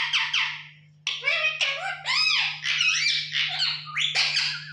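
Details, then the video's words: Pet parrot talking, imitating human words in a squeaky, nasal voice: a short phrase, a one-second pause, then a longer string of rising and falling syllables, over a steady low hum. "Mummy me mithu.."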